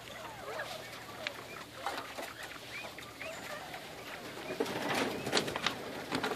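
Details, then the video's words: Morning calling from Georgia Giant bobwhite quail kept in a grow-out pen, hungry and asking for food: busy overlapping chirps and short sweeping notes from several birds, growing louder toward the end. "Georgia Giant Bobwhite Calling from their grow out pen"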